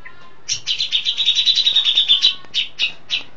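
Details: A settled, highly vocal Grey-cheeked Bulbul (Cucak Jenggot), recorded at long range, gives a fast, bright chattering run of about fifteen high notes in under two seconds, then a few spaced, slurred notes.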